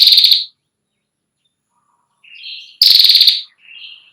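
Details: Female ashy prinia, tutor for young birds, delivering a loud, fast, high ticking trill of about half a second, then a quieter buzzy rising note before the next trill burst.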